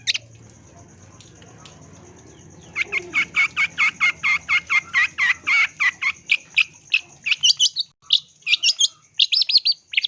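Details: Long-tailed shrike song used as a lure to train caged birds. Near silence for almost three seconds, then a rapid run of about fifteen evenly spaced harsh chattering notes, followed by varied squeaky, rising chirps. A steady high tone runs throughout.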